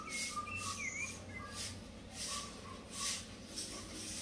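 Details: A female thrush (sabiá), recorded 16 January 2023, sings short, fluty whistled phrases, some rising, others falling, over bursts of hissing background noise; guineafowl and chickens present.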